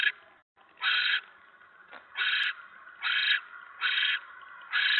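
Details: A barn owl nest at 7:50 PM on 10 November 2017 during a mouse delivery. Loud, raspy hisses about a second apart, each a short noisy burst, separated by softer background hiss.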